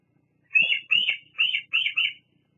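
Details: Female bald eagle at its nest at Fraser Point on a July 2022 evening, visiting to preen and perch, recorded by a nest camera; five sharp, high chittering notes in a quick descending series, with nothing else audible.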